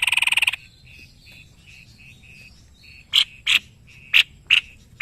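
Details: White-necked babbler song: a brief fast trill, then four loud, sharp, separate notes about half a second apart over a quiet, regular ticking background.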